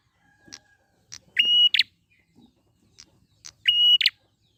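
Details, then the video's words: Wild prinia used as a singing lure. Two phrases of ticks followed by a long flat whistle with a buzzy rasping end, about two and a half seconds apart. "pancingan prenjak gacor alam liar"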